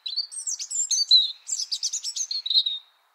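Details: Song of a European robin recorded in Liepāja, Latvia, in January 2023: a continuous three-second stream of high, rapid, liquid warbles and twitters, shifting pitch up and down before fading out.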